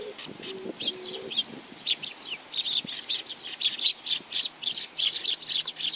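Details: Group of sparrows coming for food, Tenmangu shrine, Nakanoshima, 7 June 2020; quick repeated high chirps, nearly steady toward the end, with a faint low tone early on.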